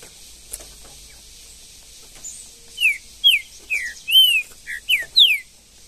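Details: Green-winged saltator singing in the wild bush of Brazil: a quiet start, then a phrase of loud clear whistled notes, mostly downslurred, with one arched note, spaced roughly half a second apart.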